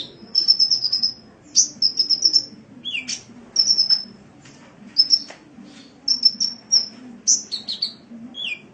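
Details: Cage-bird sunbird on a training recording, singing a lively string of high, sharp trills and twitters. Short bursts of rapid notes alternate with dipping, slurred chirps, each burst separated by brief gaps.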